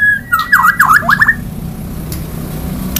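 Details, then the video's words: Murai songbird giving one quick run of looping whistled notes that dip and rise for about a second, then falls silent over a steady low hum. "BURUNG MURAI BERKICAU"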